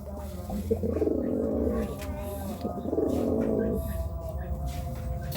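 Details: Pigeon cooing while courting: low, throaty rolling coos in two drawn-out bursts, with a steady low hum in the background.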